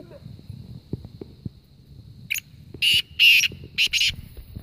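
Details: Black francolin from Kohat, Khyber Pakhtunkhwa, Pakistan, heard in a calling contest between birds: a few loud, harsh, buzzy call notes in a short burst near the end, after a quiet stretch with faint low background thumps.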